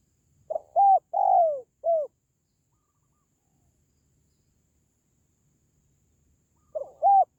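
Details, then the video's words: Spotted dove call for rousing pet doves or attracting wild ones: one full four-note coo phrase, then about four and a half seconds of silence before the next phrase begins. "SUARA PANGGILAN BURUNG TERKUKUR"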